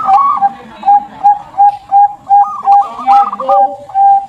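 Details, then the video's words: Contest-champion zebra dove: a steady series of short, even coo notes repeated about every third of a second, with a brief rolling, bubbling phrase overlapping in the middle and faint background voices. "SUARA PERKUTUT JUARA LPI"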